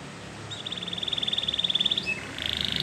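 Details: Belgian canary song: a pulsed trill about ten beats per second held for well over a second, a short upward flick, then another fast trill.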